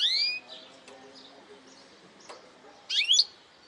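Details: Goldfinch hybrid singing in the phrased 'parçalı' song style: two bright, sweeping twittered bursts, one at the start and one near the end, separated by a quiet stretch with faint scattered notes over soft background hiss.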